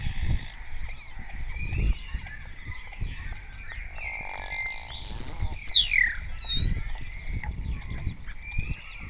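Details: Spotless starling in Cabañeros National Park, Spain, singing with mimicry and answered by other starlings: scattered thin whistles, then a loud sweeping whistle rising high and plunging down, followed by a rising slurred note and soft chatter.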